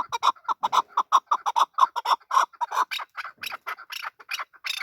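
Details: Male chukar partridge calling with a rapid series of clucking chuk notes, about two per second, steady in pitch, then shifting to harsher, broader notes near the end.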